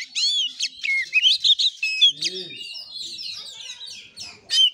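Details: An oriental magpie-robin in fighting play mode, Kura-kura style, delivers quick upslurred whistles and chirps in short bursts, with a brief lower warbling note mid-phrase and a closing loud flourish.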